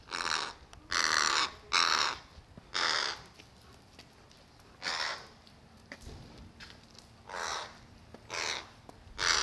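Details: Two crows over a snack theft, the nimble one grabbing all the treats while the other patiently shadows it; loud grating caws, mostly in pairs and singles, irregularly spaced, with soft background noise.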